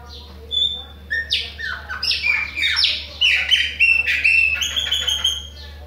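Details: Chopi blackbird, Bahia form, pouring out song: a lone high whistle, then a rapid run of buzzy squawks and descending whistles building into a series of clear level whistled notes, with a faint background hum.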